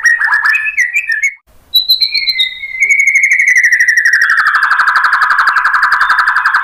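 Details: Song of a white-rumped shama meant to prompt other birds to sing: a few varied chirps, then a long sustained whistle that becomes a rapid buzzy trill pulsing about four times a second.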